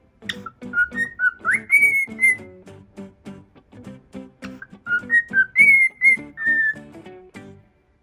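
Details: A male normal pearl cockatiel, hatched around January 2018, plays with a hand in the morning and mimics animal sounds such as barking, chick peeping and mouse squeaks, singing clear whistled notes that slide up and down in short phrases.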